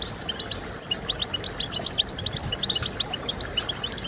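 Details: European goldfinch song used to get birds singing: quick series of sharp high chirps roughly every tenth of a second, mixed with buzzy twitters, over a low constant background hum.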